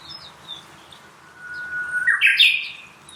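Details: Grey-capped greenfinch feeding on sunflower seeds, which it crushes rather than cracks open. Recorded 27 April 2024 at 10:55 with an α9 III camera. A thin, steady whistle leads into a short burst of buzzy, twittering notes.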